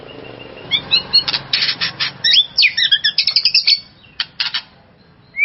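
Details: White-rumped shama sounds meant to raise a rival shama's excitement: a burst of harsh, buzzy rasps with quick high chips and short whistled notes woven in, then scattered rasps and a final rising whistle.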